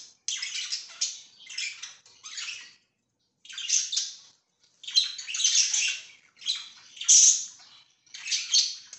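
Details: Pet budgies, 24 September 2024, give rhythmic bursts of buzzy chattering warble, roughly one burst per second, with a short silent gap early on.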